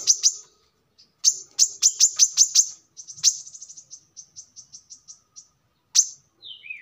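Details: Brown-throated sunbird, used as a lure or song model for cage birds. A fast run of piercing high notes is followed by softer, quicker ticking notes, then one final high note and a brief falling whistle.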